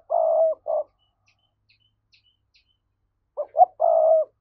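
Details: A spotted dove coos in the 'thúc' style meant to stir up wild doves for trapping: a long hollow coo with a short tail note, a pause with faint distant chirps, then two brief notes leading into another drawn-out coo.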